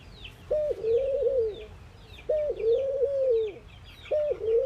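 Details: Three repeated coos from a ring-necked dove, an Indian bird calling in the morning. Each begins with a clipped higher note, then sustains a long mellow tone roughly every 1.8 seconds, over soft chattering of small birds.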